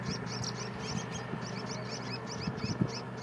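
Young tricolored munias beg with rapid, thin, high-pitched peeps, several each second, over a steady low hum.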